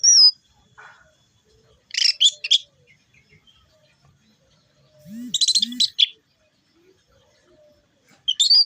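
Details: Orange-headed thrush, a kept songbird, delivering short bursts of loud, harsh chattering phrases at high pitch with sharp whistled notes, separated by pauses; two low rising-falling sounds occur in between.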